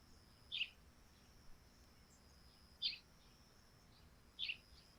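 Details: Sparrows calling in the morning on a dewy thatched roof: short high chirps, three clear ones spaced over five seconds, with a faint steady high hum in the background.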